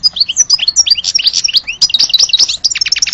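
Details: European goldfinch, billed as a true goldfinch of Alge, singing a dense run of rapid, liquid twittering notes with quick rising and falling chirps, continuous over three seconds with short breaks.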